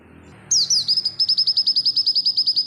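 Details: Oriental white-eye singing, recorded to train other birds: after a brief quiet start, a few slurred, falling high notes lead into a fast, steady run of repeated high chips.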